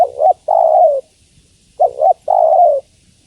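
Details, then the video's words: A calling female spotted dove seeks a male with two low coo phrases about 1.8 seconds apart. Each phrase is a split double note, then a long, slightly falling coo. "Suara Tekukur Betina Memanggil Jantan"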